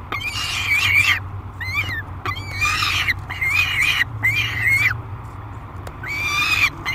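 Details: Peregrine falcon at the Great Spirit Bluff nest box, July 2021, screaming aggressively while being fed: harsh, wavering calls around two kilohertz come in bursts of about half a second to a second, separated by short gaps, over a low steady hum.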